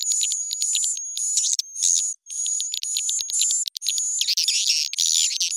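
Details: Pitch- and tempo-raised swiftlet calling sound, played to draw swiftlets into nesting houses: a thin unbroken high whistle overlaid with chattering chirp bursts, turning to a denser rasping twitter near the end.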